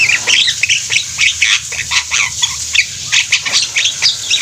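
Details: Several Javan mynas singing in a group, producing a thick mix of shrill squeaks, rasps and chatters with hardly a pause, voices overlapping.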